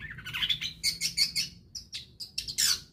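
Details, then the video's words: Long-tailed shrike singing on a lure recording for prompting other shrikes: a harsh rising squawk leads into clipped, high chirps and short sharp whistles, fast and uneven, ending in a loud scratchy burst. "pancingan cendet agar gacor"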